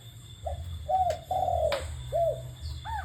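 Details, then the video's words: Spotted dove cooing amid laughingthrush calls: soft low hooded coo notes, one drawn-out, over steady low hum, with a brief higher note at the end. "TIẾNG CHIM CU GÁY HOÀ QUYỆN TIẾNG KHƯỚU"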